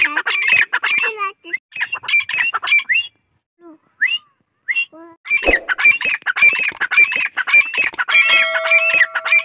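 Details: Grey partridge, a kept bird, giving loud harsh repeated calls in rapid bursts, grating notes with rising and falling overtones, a short pause midway, then resuming, with a steady tone near the end.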